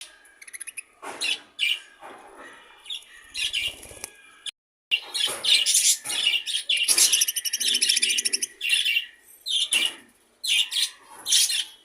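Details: Half-tame pet budgerigar calling. Busy chirps and scratchy chatter come in irregular bursts, with a short break near the middle, then denser warbling notes.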